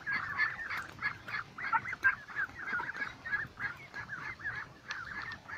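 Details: Lakeside duck flock in full voice: rapid, choppy nasal honks, roughly three per second, crowding together in a busy, unbroken chatter.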